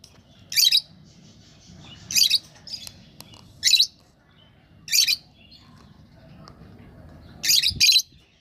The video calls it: Lovebirds Sound